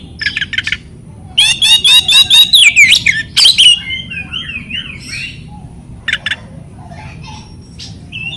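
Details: Oriental magpie-robin (kacer) song played to coax silent birds: scattered clicks, then a loud fast series of rhythmic trilled whistles and harsh notes, followed by softer wavering whistles and sparse chips.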